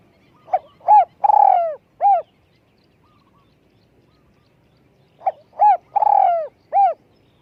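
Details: Spotted dove kept as a decoy, with a small voice, delivers two matching phrases roughly five seconds apart, each of a quick note, a round coo, a long rolling downward coo and a closing coo.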